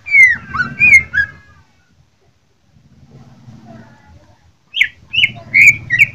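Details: Greater green leafbird of Jember, Indonesia, singing in fighting style: a few slurred whistles, a long quiet stretch with low background hum, then another burst of bright downslurred whistles.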